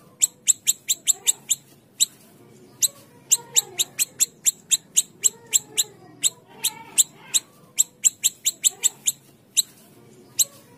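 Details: A small siri-siri bird gives rapid, high, sharp ticking chips in bursts of several notes, about four a second, with brief pauses between runs. The recording is used as a lure to get other small siri-siri to sing.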